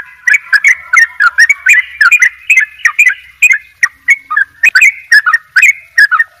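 A Sooty-headed bulbul sings a fast, bubbly run of rolling, liquid notes, about three a second, broken by sharp clicks. No other sounds intrude.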